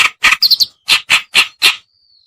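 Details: Short reed warbler lure call to attract birds, white-browed or black-browed form: several broad, harsh, nasal chacks with a quick high twittering flourish between them, ending in a faint thin whistle.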